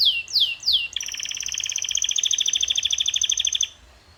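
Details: Canary song for training birds to sing: three loud sweeping downslurred notes, then an extended fast rolling trill of even, rapid pulses lasting nearly three seconds before stopping.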